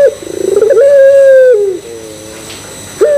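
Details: Puter pelung Barbary dove cooing to get other doves going: rattling pulsed trill swelling into a long steady hoot that sinks away, soft double low notes, then the next phrase starting sharply.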